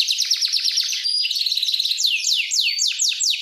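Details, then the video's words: Large male canary singing vigorously, a rapid trill of sharp descending notes that slows into longer swooping whistles, with thin sustained high tones threaded through. "Kenari Bigsize Jantan gacor"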